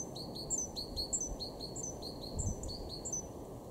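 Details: Great tit singing in a garden in Weener, East Frisia, far northwest Germany, in March 2023: high, bright two-note phrases, a higher thin note then a lower downslurred one, repeated quickly throughout over steady low background rumble.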